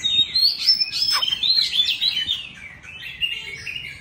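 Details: Wild-caught mature Oriental magpie-robin singing loudly: a rich, continuous warble of varied whistled phrases with rapid slurred notes and sharp downward swoops, mid to high pitched, over faint background hiss.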